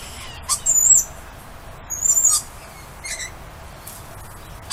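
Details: Greeting calls of lorikeets outside: a piercing, rasping screech near the start, a second long shrill outburst around two seconds, and a shorter squeal after three seconds, with quiet gaps between.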